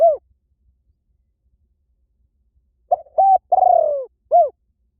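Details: Spotted Dove cooing meant to draw doves in quickly in any forest. A phrase ending opens the clip; after a long silence comes a full phrase of a quick coo, a held note, a long trembling downward coo and a short arched close.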